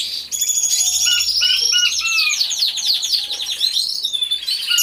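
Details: Many canaries singing together in an aviary, recorded by a hidden camera; dense overlapping high trills, rapid repeated chirps and whistled notes run continuously, with a faint low hum early on.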